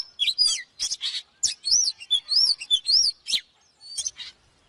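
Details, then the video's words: Energetic Oriental magpie-robin song, used to train other birds: dense strings of clear arched whistles, repeated three or four times in a row, mixed with quick chips and short buzzy notes. "เสียงนกกางเขนบ้านหรือนกบินหลาขี้ควายใต้ CĂNG QUÁ || CHÒE THAN CĂNG LỬA || HÓT MÚA CỰC PHÊ"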